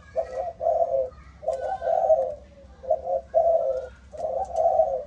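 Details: A spotted dove from a Malaysian line with the 'âm thổ' voice sings low, rough coos in phrases of short and long notes, about three phrases in five seconds, the notes close and strong.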